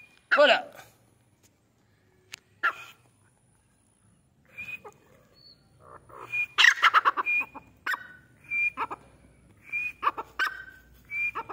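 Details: Grey francolin in training, giving loud harsh bursts of calls repeated in quick series, with clucking notes between and a steady high whistle breaking in several times.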